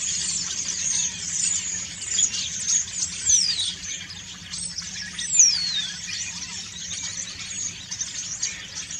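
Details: Autumn song of common starlings during preening: softer high chattering with scattered clicks, broken by two long clear whistles sliding steeply downward, quieter stretches between bursts.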